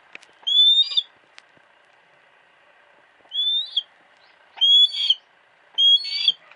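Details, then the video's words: A female hawk in captivity at a private home, captured with a Sony Cyber-shot camera, gives four piercing, slightly rasping cries. The first comes alone, then three follow in quick succession near the end. "鷹の鳴き声 Cry of a hawk"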